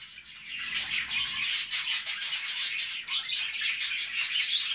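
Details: Budgerigars kept with their chicks, giving a dense, continuous warbling chatter of high chirps and squeaky twitters that overlap without pause.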